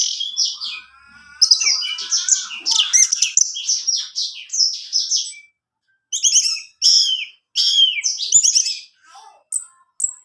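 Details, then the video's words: Continuous orange-headed thrush song to encourage a male to sing: a dense tumbling stream of high chirps, whistles and buzzy slurs, later broken into short rapid bursts. "putar Anis merah ini, Anis jantanmu pasti bunyi"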